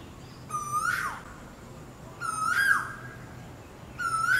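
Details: Asian koel mating call, three rising whistled notes, each sweeping upward before cutting off abruptly, repeated roughly every 1.6 seconds, with faint background hum.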